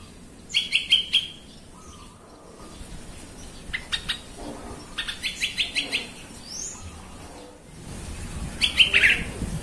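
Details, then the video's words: Sooty-headed bulbul lure recording for provoking other bulbuls into excited song: several groups of fast, sharp chirped notes, including a longer rattling run of about six notes midway, with faint softer calls and low background noise. "TRUCUKAN EMOSI BONGKAR ISIAN❗BIKIN TRUCUK LAIN SEKALI DENGAR AUTO KOAR KOAR❗"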